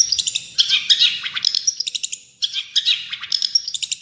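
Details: Vigorous song of a long-tailed shrike, meant to teach and stir caged birds: quick bursts of sharp, high chips and squeaky whistles in short packed phrases, with a brief pause partway through.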